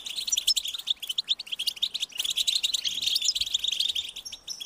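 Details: European goldfinch nestlings beg their parents for food with high, insistent calling. Quick tinkling chirps pile into a dense twitter, with a short pause near the middle before the chatter swells again.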